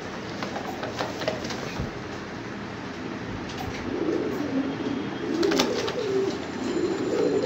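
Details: Domestic fancy pigeons: a quiet rustling start, then low rolling coos build and overlap from several birds in the second half, with a few soft clicks and flutters.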